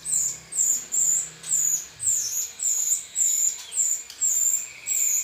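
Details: Rio-rio song intended as a model for songbird training: shrill, descending whistled notes repeated nearly twice per second, steady and unbroken, over a quiet background.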